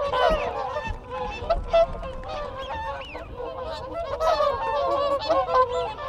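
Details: Nasal trumpeting contact calls from a group of whooper swans recorded close up, overlapping continuously, with a few swooping wigeon whistles and Canada goose honks in the background.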